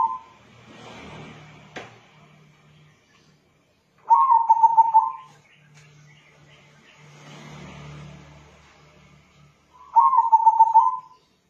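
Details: Soft-voiced local crossbred zebra dove giving two burbling, pulsed coos about six seconds apart, with faint hum and rustling noise in the gaps.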